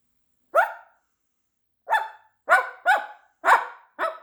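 A Moluccan cockatoo gives harsh, dog-like barks, mimicking a dog in short, irregular bursts.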